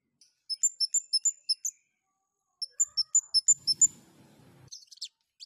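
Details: A long-tailed shrike in strong breeding condition, used as a lure to provoke other shrikes to sing, gives two quick bursts of high, sharp chirping notes, about seven per burst, with a brief soft rumble between phrases.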